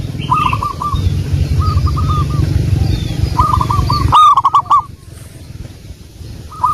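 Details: Wild local zebra dove song for luring: stuttering rolling coos repeated several times, faint high chirps of other birds, and a low rumble that drops away midway.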